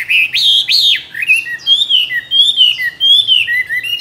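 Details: Tame Chinese hwamei, two years in a cage, singing varied forest voices as a competition bird: two strong arched whistles, then a flowing chain of slurred whistled notes.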